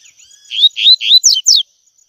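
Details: Double-collared seedeater giving its tui tui song, recorded for training young males: three loud, rising whistled slurs, then two brisk falling notes, one clean phrase over a faint steady whine.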